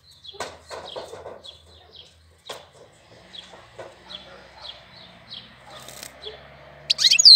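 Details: Bird song recorded in April: quick clicking notes and many short high chirps repeated at a steady pace, closing with a loud rising and falling whistle.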